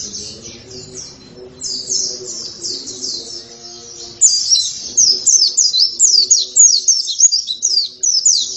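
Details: Oriental white-eye singing hard (gacor): softer high twitters over low tonal background sounds, then from four seconds a loud, rapid burst of sharp descending chirps, several per second.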